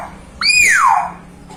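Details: A young hill myna gives one loud, clear whistle that holds high, then slides steadily down over about half a second, with a faint room hum beneath.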